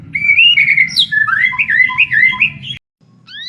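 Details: White-rumped shama of the pied 'blorok' form, a kept bird singing actively: a loud, rich run of fluid whistled phrases with rising and falling slurs and quick warbled notes, then a short pause and a fresh phrase, over a low steady hum.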